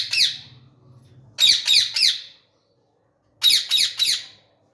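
Rose-ringed parakeet giving harsh, shrill screeches: one, then a quick burst of three, a pause, and three more, with a faint low hum.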